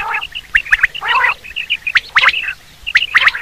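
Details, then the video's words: Common quail calling, recorded for hunting use: crisp clicked notes in tight threes alternating with coarse, buzzy bursts, roughly one phrase per second. "Quail sound for hunting /Batir ki Awaz"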